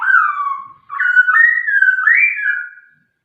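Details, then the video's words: White-rumped shama singing: loud clear whistled phrases that slide and warble, dipping then rising in steps, with a short gap midway; no other sounds. "burung murai gacor"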